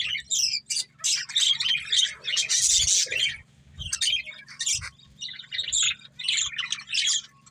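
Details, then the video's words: Budgie breeding pair giving busy high chatter: scratchy warbled phrases and harsh squawky bursts in waves with short gaps, over a faint constant low hum. "Cute Budgies Chirping Sounds | Love Birds Breeding Pair"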